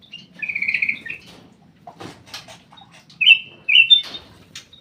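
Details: Black-crested bulbul kept in an aviary, singing: a rapid buzzy trilled phrase, then a gap with faint clicks, then bright sharp whistled notes near the end, with a low background rumble.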